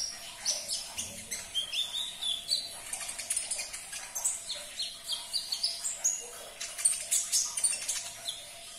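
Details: Sunbird song to prompt a caged bird to sing: steady stream of rapid high chirps and short whistled sweeps, evenly spaced, with faint low rustling beneath.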